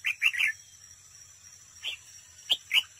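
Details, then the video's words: Decoy red-whiskered bulbul in a singing contest at a trap, giving a quick run of three bright, slurred chirps, then two single notes and a final chirp after a pause. "chào mào mồi đấu bẫy, hót đấu"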